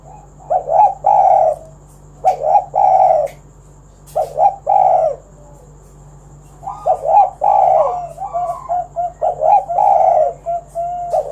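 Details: Spotted dove singing as a lure for other doves: several clustered bursts of deep, burry coos, then a longer run of rapid, wavering coo notes, with a few faint clicks in the room.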